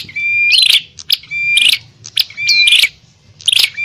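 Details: Bar-winged prinia fighting call used to lure wild prinias: loud, busy bursts of buzzy, harsh notes mixed with clear whistled rising slurs, repeated in clusters about once a second.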